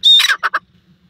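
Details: Black francolin (tetar) giving a loud, brief call: a thin high whistled opening slides into a harsh, grating note, followed by two short buzzy notes in quick succession, with quiet surroundings.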